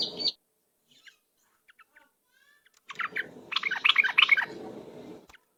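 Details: Yellow-vented bulbul lure song: a brief opening burst, a near-silent stretch with faint scattered chips, then a lively run of rapid bubbly chattering notes before it cuts off.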